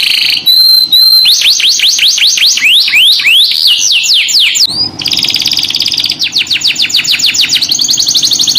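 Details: Canary singing in a pancingan, a lure song for other canaries: loud, varied song of a few pure whistles, then fast series of rising and falling sweeps, dense buzzy passages and rapid trills, phrases changing every second or two.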